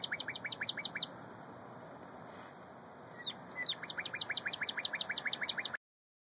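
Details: Northern cardinal (Cardinalis cardinalis) singing in Bloomington, Indiana, on 25 March 2013 around 11:42: two phrases of rapid, clear downslurred whistles, several notes a second, with a short pause between; faint steady background hiss.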